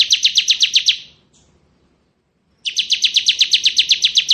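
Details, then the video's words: Ngebren song of a crystal-type bar-winged prinia: rapid staccato high chips in a one-second burst, silence, then a longer run of evenly spaced, ringing chirps. "Suara Burung Ciblek Ngebren"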